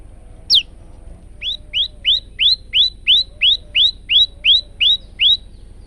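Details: Male prinia on a training recording: one sharp high downslurred note, then a steady run of about twelve short rising whistled chirps, roughly three per second, over a faint low hum.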